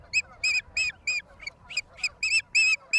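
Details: Wild osprey at a nest in Charlo, Montana, USA, April 26, 2022, on a live camera: a rapid series of clear, piercing whistled chirps, about three per second, evenly loud and slightly uneven in spacing.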